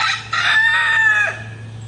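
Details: Rooster crowing in the morning: one loud, harmonic-rich cock-a-doodle-doo lasting about a second, holding steady then dropping at the end, over a constant low hum.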